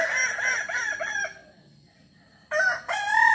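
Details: Kukuak Balenggek rooster from West Sumatra, a breed known for crowing in 3 to 19 levels. A crow with wavering stepped notes, then a pause of about a second, then a second loud crow sequence begins.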